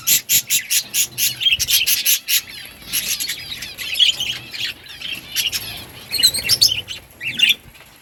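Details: Several budgies eating green food, giving loud, harsh squawks in a quick burst of regular pulses, then a tangle of chattering chirps and warbles, with a steady high whine throughout.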